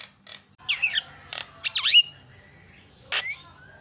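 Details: Javan myna calls used as a lure to provoke other mynas into calling: scattered harsh squawks and a sharp whistled note, separated by short pauses, with a low hum underneath.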